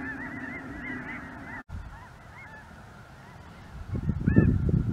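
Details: Snow Geese among Greater White-fronted Geese and maybe Ross's Geese crossing the sky in southern Indiana, chilly afternoon, 23 January 2023; scattered clear, upslurred honks over a steady chorus, then a loud rumbling gust near the end.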